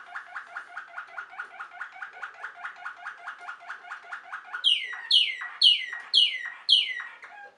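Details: Domestic song canary bred for sweet singing, caged indoors: a long run of rapid repeated warbled notes near mid pitch, about two per second, then five loud descending sweeping whistles at higher pitch.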